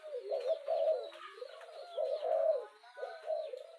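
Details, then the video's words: Spotted dove urging coo for rousing a decoy: three rounded, rising-then-falling coo phrases, low and mellow, with faint high twitters behind. "Tieng chim cu gay thúc kèm kích bổi nhanh nổi"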